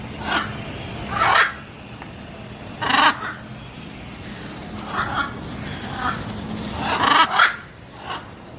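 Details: Macaw giving loud, harsh, raspy squawks in irregular bursts, some doubled, spaced about one to two seconds apart over a steady low background hum.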